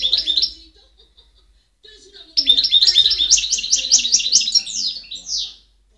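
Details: European goldfinch singing, recorded in 2010: a short twitter, a pause, then a bright run of rapid, tinkling, rising and falling trills ending in a drawn-out buzzy note.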